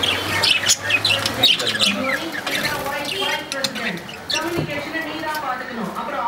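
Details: A pair of lovebirds chattering busily: quick shrill chirps repeated roughly two or three times a second, mixed with wavering squeaky notes and short harsh squawks, all run together without pauses.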